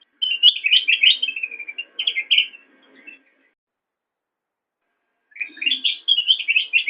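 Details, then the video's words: Black-crested bulbul song used as master audio for caged songbirds: a long, rapid bubbly warble of quick high notes, then silence for two seconds before another lively warbling burst. "Ocehan Burung Kutilang Emas"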